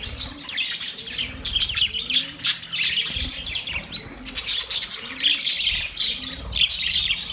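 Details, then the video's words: Budgerigars calling to another budgie: dense, continuous high chirping and chattering warble from several birds overlapping, full of rapid squeaky notes with no pauses, plus faint low soft sounds underneath. "Budgie sound when call other Budgie"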